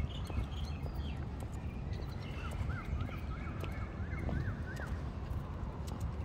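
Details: Asian koel (Eudynamys scolopaceus) calling in the evening in Bangkok's Benjakitti Park: about eight quick, rising two-part notes climbing in pitch, over steady traffic rumble and footsteps; often heard in the city, sometimes from 5am.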